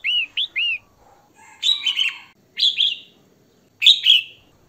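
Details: Female red-whiskered bulbul song used to stimulate males: three quick looping whistles open, followed by three coarse, buzzy two-part phrases at roughly one-second gaps.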